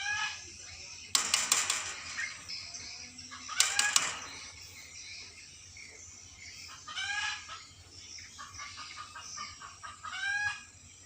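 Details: Starling said to be sad, with two loud broadband bursts like wing flaps early on, then spaced harsh calls with descending harmonic notes and short stuttered note runs, over a low background hum.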